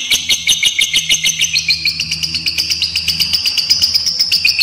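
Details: Fighter lovebird giving its long ngekek trill, used as a lure and tutor recording to get young lovebirds singing: a dense, rapid chatter of high chirps, about twenty a second, held without pause over a faint low engine hum.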